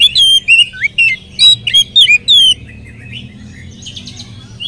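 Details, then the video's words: Oriental magpie-robin song used as a lure to set other magpie-robins singing; a quick string of loud, clear whistles, some rising and some falling, followed by quieter, softer twittering. "kacer gacor materi mewah pancingan kacer ikut gacor bongkar materi"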